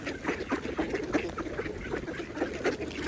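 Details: Mallards feeding on a pond make a run of brief nasal quacks and busy dabbling noises, set against continuous water sound.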